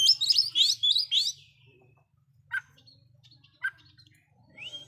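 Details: Loud oriental magpie-robin song that stirs rival magpie-robins; a dense burst of rising and falling whistles for about a second, then two isolated sharp notes and a final rising whistle, over a faint low hum.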